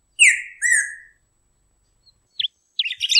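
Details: Golden-billed saltator, called pepitero or picahueso, giving two loud slurred whistles that fall in pitch, the second longer and drawn out, followed by a pause and a few short sharp chipping notes.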